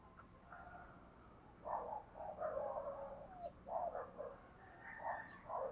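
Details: Spotted dove decoy bird cooing to lure wild doves; soft, low cooing phrases come in several short bursts over a faint hissing background.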